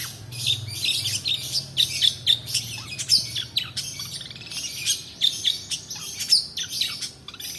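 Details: Long-tailed shrike song for training other birds, a busy stream of sharp ticks, squeaky whistles and scratchy notes, about four per second, irregular, over a faint low hum.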